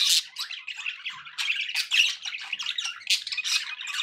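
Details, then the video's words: Budgies kept as pets squawk and chatter, sharp harsh calls and quick chirps tumbling in irregular bursts. "budgie sounds for pet birds"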